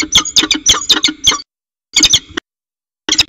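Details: Northern goshawks mating at the edge of their water tower nest, February 2018: loud, fast, harsh repeated notes in two short bursts, then a single brief one.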